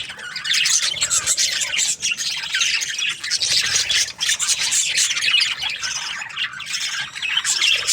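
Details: A flock of budgerigars in breeding pairs chatters continuously, with dense overlapping high chirps, squawks and warbles that rarely pause.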